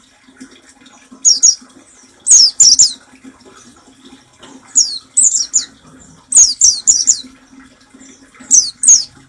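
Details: Oriental white-eye nembak song meant for training caged birds: clusters of two to three shrill, downslurred high notes recurring every second or two, over a quiet low hum.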